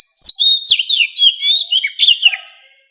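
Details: Captive white-rumped shama song for voice training, forest-voice style: a continuous run of high, varied whistles and rapid slurred notes lasting under three seconds, fading at the end.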